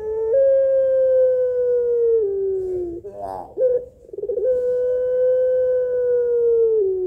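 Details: Pelung-style Barbary dove (puter) calling males with a melodious, tired-sounding voice. Two very long, even, slightly falling hums are separated by a brief burbling break.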